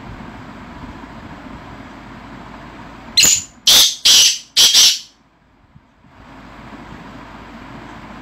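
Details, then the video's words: Caged black francolin, also called kala titar, giving four loud, harsh, grating notes in a quick burst over steady background hiss, followed by a silent pause. "black francolin (kala titar)"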